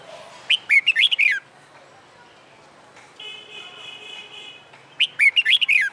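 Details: Wild-caught red-whiskered bulbul in a cage, trained for fighting song, sings two fast choppy whistled phrases separated by a long, steady, even-pitched whistle in the background.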